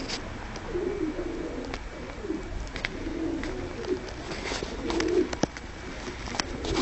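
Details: Domestic tumbler pigeons kept in a loft, described as seeming shy yet easy to control, give repeated low, throaty coos throughout, mixed with sharp clicks, scuffling and rustling.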